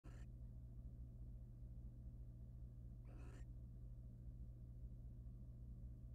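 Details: Wild barn owl pair in a monitored nest box, the male preening his mate's feathers; two short harsh broadband rasping screeches about three seconds apart over a steady low electrical hum.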